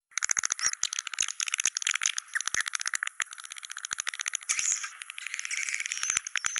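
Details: Swiftlet calls in the style named China cave: dense, rapid dry clicking like a rattle, mixed with high thin twittering chirps that run almost without pause.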